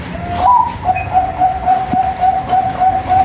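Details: Zebra dove of the Bangkok type, a training lure for contest perkutut and for birds still learning to sing: opens with a brief rising whistle-like note, then a rapid, regular series of short coos at one pitch.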